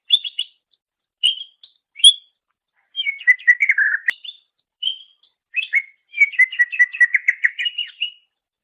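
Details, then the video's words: Greater green leafbird singing in a master recording meant to train songbirds: short whistled phrases, a fast descending trill of chirps, a single sharp click, then a long run of rapid warbled notes. "Masteran Suara Cucak Ijo"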